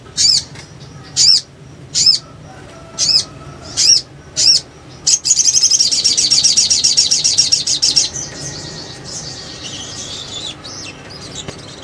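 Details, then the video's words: Sunbird song of the ngriwik ngleper style, used as a lure to draw birds: five sharp high-pitched notes spaced about a second apart, then a dense buzzy rapid trill lasting three seconds, fading into softer twittering. "PANCINGAN SOGON NGRIWIK NGLEPER"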